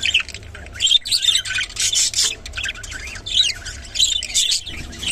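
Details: Scratchy, bubbling chatter from a rainbow budgerigar, loud chirpy bursts roughly every second, over a low continuous hum.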